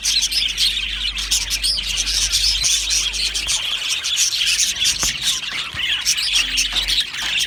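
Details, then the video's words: Flock of Australian budgerigars in an aviary, constant busy twittering with scattered sharp chirps and clicks layered over one another. "Australian Budgie parrot chirping sounds"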